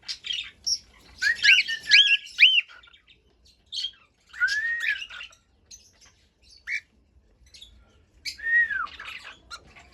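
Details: Cockatiel song of quick looping whistled notes, then a falling whistle, short chirps and a final arched whistle, with quiet pauses between phrases.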